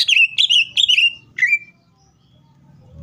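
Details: Green leafbird, a cucak ijo in lure song meant to make others sing: three loud buzzy descending whistles and one lower falling note within two seconds, then low background hum.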